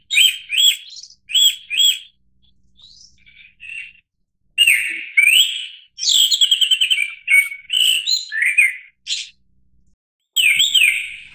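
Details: Japanese thrush singing: loud, varied phrases of clear whistled and fluty notes, repeated doublets and rapid trilled runs, separated by short pauses, with a few quieter twittering notes between phrases; no other clear sounds.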